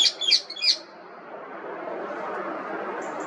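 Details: Indian ringneck parrot, the rose-ringed parakeet, giving three quick, bright chirps at the start, followed by steady low hum with a faint high tone near the end.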